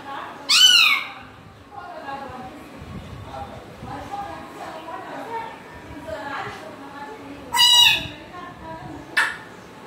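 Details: Grey parrot calls spaced widely: a harmonic, wavering squeal early on, faint murmurs in the middle, then two sharp, ringing calls near the end.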